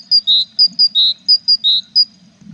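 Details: Tit at a nestbox holding feathering chicks on 21 April; loud, clean high whistles alternating higher short notes with longer lower ones, about nine notes in two and a half seconds, over a faint low hum.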